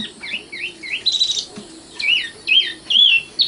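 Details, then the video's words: A common nightingale sings short looping whistles, then a buzzy rattle, followed by separate clear, sliding whistled phrases spaced about half a second apart. "kicau burung sikatan londo matal"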